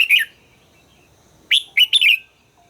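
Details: Red-whiskered bulbul in voice training: one short chirp, then after a pause a fast phrase of three rising and falling whistled notes that trail off.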